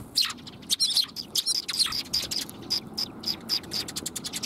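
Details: Sparrows coming to be fed at a shrine approach in March 2021; a dense run of short, sharp chirps repeated rapidly, several overlapping, with a quiet background hum.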